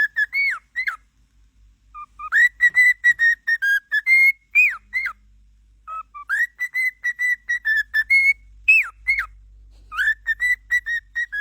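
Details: Pet cockatiels heard in a run of clear whistled notes, some steady and some sharply rising then falling, in bursts separated by short pauses, with a faint low hum underneath.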